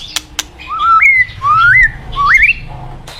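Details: Loud forest white-rumped shama song over flowing river noise: three rising, wavering whistled phrases, each sliding upward and ending on a higher note, preceded by two brief clicks.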